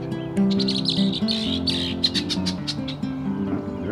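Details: Blackbirds at a pond in Mount Auburn Cemetery, Cambridge, Massachusetts, among bullfrogs, mallards and robins, give a rapid run of harsh, chattering chirps, bunched in the first few seconds, over steady background music.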